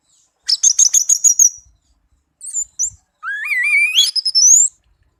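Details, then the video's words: Tame orange-headed thrush song: a fast series of sharp, high repeated notes, a few short chirps, then a long warbled phrase that sweeps steeply upward. "Anis merah kicau merdu"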